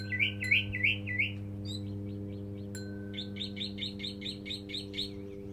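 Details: Backyard mockingbird, a lone male hoped to find a mate, sings rapid repeated phrases: a burst of buzzy mid-pitched notes, then a long, even series of quick high chirps, all over a constant low electrical hum.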